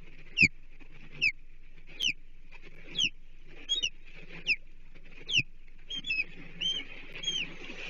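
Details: Osprey calling at its Chesapeake nest on 14 July 2023 during a fish delivery of half a blueback herring; loud, sharp downslurred whistled chirps about once a second, then quicker paired notes, with steady low hum beneath.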